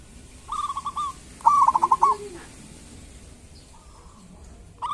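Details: Local zebra dove singing kerot and bekur, used to prompt silent doves to sing. A short pulsed phrase leads into a louder rippling coo, then near silence and a brief closing note.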